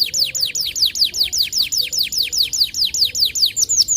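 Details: White canary repeating one bright, high whistled note that sweeps downward, about four times a second, in an even unbroken series.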